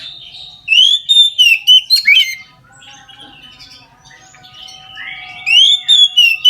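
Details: Oriental magpie-robin in full song at midday, used as a prompt for other magpie-robins to sing: loud rich whistled phrases with swooping slurs, a soft warbling interlude, then another burst of clear ringing notes.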